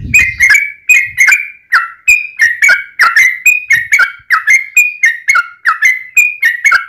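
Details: Energetic yellow-vented bulbul song used to coax other bulbuls into singing: after a low thump, an unbroken series of bubbly two-note whistles, about two to three per second, loud and near.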